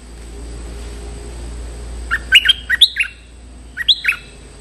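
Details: Lure recording of a stripe-throated bulbul calling out a territorial resident. About two seconds of quiet hum, then two bursts of rich, bubbling, chattering notes separated by a short gap.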